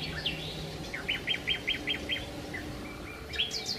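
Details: Sparrows at a hotel in Marsa Alam gather after breakfast to eat leftover food from the tables. A quick run of short, bright chirps comes about a second in, with scattered chirps before and after over a steady low hum.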